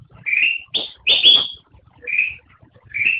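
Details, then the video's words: Black-crested bulbul giving a single phrase: a rising whistled note, then a loud, rich two-part burst, followed by two more separate rising whistles. "Suara Burung Kutilang Emas"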